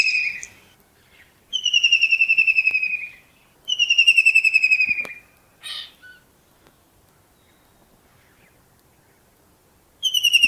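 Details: In Pakistan at early morning, a kingfisher sits and calls with two back-to-back falling trills of rapid whistled notes, a short rough note, a long silence, then another trill starting.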